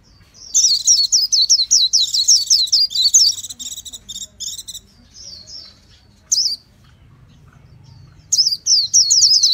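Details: Japanese white-eye, called vành khuyên, singing: a long, rapid, high twittering warble of thin, tumbling notes, then a pause and a single sharp chirp, before the fast high chatter resumes, with a faint low hum behind.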